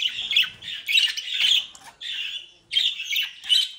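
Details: Budgerigars from a home breeding flock near Den Haag, Netherlands, pour out continuous scratchy, squawky warbling in bursts of about a second, with a brief break before the chatter resumes.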